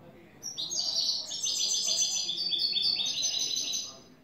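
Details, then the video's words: European goldfinch, a new bird, pouring out a continuous three-and-a-half-second phrase of clean "el tres vueltas" song: fast, bright, metallic twittering notes tumbling in rapid succession at high pitch. "Jilguero a cante limpio " el tres vueltas""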